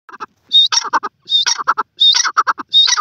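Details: Grey francolin (teetar) calling: loud phrases repeated about every 0.75 seconds, each opening with a high, sharp rising note followed by three or four clipped, rhythmic notes, in a quiet background.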